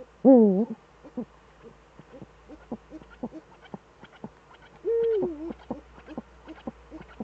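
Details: Eifel eagle-owl pair, Germany, 11 March 2013 at 18:47, both owls returned: a harsh wavering call opens, many light clicks and taps follow, then a flatter arched call near the end.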